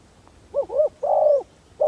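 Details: Spotted dove kept as a decoy bird to lure wild doves, giving low, soft cooing notes: a short double coo followed by one longer, drawn-out coo, over a quiet background.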